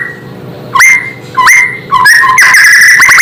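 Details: White-rumped shama, or murai, with a song said to provoke other shamas; a few spaced rising whistles, then a loud continuous warbling phrase at the end over a faint background hum.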